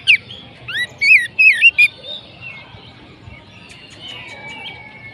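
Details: Oriental magpie-robin: varied clear whistles, rising and falling loops packed into a quick phrase of about two seconds, then softer drawn-out thin whistles. Konslet style; faint low hum behind.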